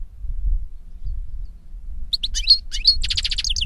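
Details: European goldfinch in nature: after a stretch of low background noise, a short burst of high twittering notes and a quick trill comes in toward the end.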